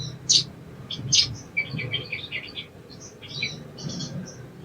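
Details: Sogon, an Indonesian songbird, in training audio meant to make birds sing fast: two sharp high chirps, then softer, quick twittering phrases of small rising and falling notes over a low background rumble.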